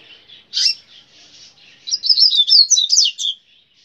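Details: Grego-style song of a brown-plumaged Double-collared seedeater: a short sharp note, soft high chatter, then a loud, fast tumbling series of high whistled and twittered notes for about one and a half seconds.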